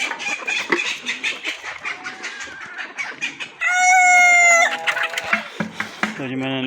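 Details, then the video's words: Scattered chicken clucks give way to one strong rooster crow: steady and drawn out, stepping down at its end, with more hen chatter after it. "Rooster crowing compilation || rooster crowing sound effect 2023"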